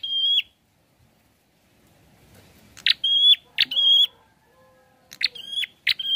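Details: Prinia singing energetically: short bright whistled notes with a faint upper overtone, given singly or in pairs with gaps of about a second, then silence and a low background rumble.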